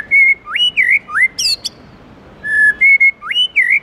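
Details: White-rumped shama singing the 'forest voice' song in the morning: loud, rich whistles that swoop up and down, a brief sharp high flourish, a pause, then more looping whistled phrases.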